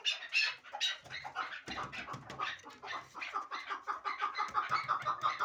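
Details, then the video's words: Hybrid partridge kept for fighting and hunting, giving a fast run of harsh, clucking chuk notes that blur together at first, then settle into a steady, rapid chatter with no other clear sounds. "Кабки Гибрид"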